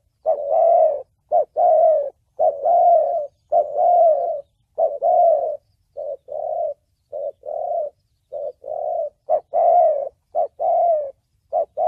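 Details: Spotted dove singing in the Vietnamese thổ bầu style, a recording used to lure wild doves for trapping and to train decoy birds: a steady run of low, mellow coos in short-then-long pairs, about a dozen notes with no other sounds.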